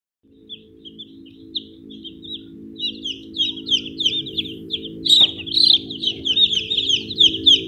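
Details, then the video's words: Chicks in a poultry setting giving high, thin peeps that slide downward, repeated about twice a second and growing louder and busier toward the end, over a steady low humming background. "chicks chicks"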